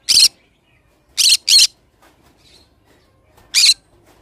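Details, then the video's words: Pineapple green-cheeked conure, a pet bird, giving four harsh, raspy squawks in three bursts: one single, a quick pair, then a final squawk after a two-second pause, with quiet gaps between. "pineapple conure sound"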